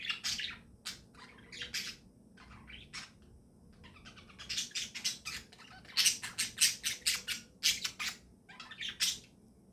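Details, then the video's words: Budgies calling in the morning: sparse chirps at first, then a dense rapid series of sharp, squawky chirps repeating about twice a second, loud and insistent, over faint background hum. "Good Morning Chirping Sounds"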